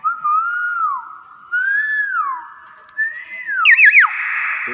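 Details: Hill myna that imitates greetings gives three whistled slurs, each rising and falling, followed by a quick wavering warble and a harsh, steady buzzing tone.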